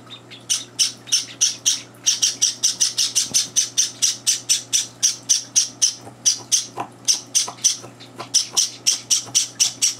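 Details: Java sparrow chicks on their third day home, begging while being fed as two older birds barge in; a long, even series of harsh high cheeps, roughly four per second.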